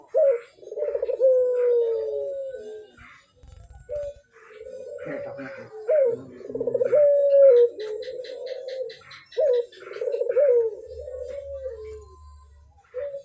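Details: Barbary dove in vigorous voice, calling to set other doves cooing: repeated low, mellow coos, each a short note followed by a drawn falling tone, with some faint background music and noise between phrases.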